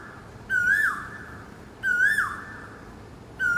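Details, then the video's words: Morning call of an Asian koel sitting in a tree in a park: two ringing whistled notes, each bending upward then sweeping down, about one and a half seconds apart, with a third call starting at the end. "कोयल की आवाज़"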